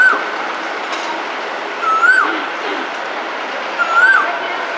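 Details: Male Asian koel calling for a mate in spring in a busy Hong Kong city area; short rising whistled notes around two seconds apart over a steady hiss of urban background noise.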